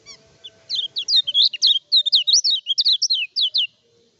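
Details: Lemon-bellied white-eye (kecial kuning), a lively undoped bird whose song is used as a lure to provoke rivals and tutor other birds: a fast, high chain of sharp up-and-down twittering notes for about three seconds, with a faint low hum.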